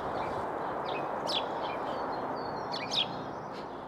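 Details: A group of house sparrows in an urban Glasgow allotment give short, bright chirping contact calls, a couple of clearer ones among fainter twitters, over a steady roar of background noise.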